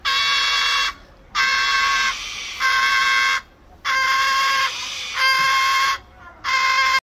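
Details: Captive cockatoo at a bird park, seeking attention and answering greetings very loudly; long harsh squawks of about a second each, five in a row with short silent gaps, rough and grating with strong harmonics.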